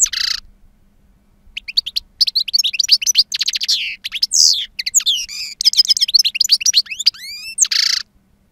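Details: Wild-style song from a powerful-voiced, two-year-old European goldfinch with long calls: a buzzy nasal note, a pause, then quick jangling twitters, trills and rising whistles, ending with another buzzy note.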